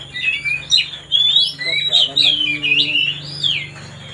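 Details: White-rumped shama, or kacer, singing to stir another bird's temper: continuous loud, fluting whistles rising and falling in a wavy pattern, with a soft low hum in the background.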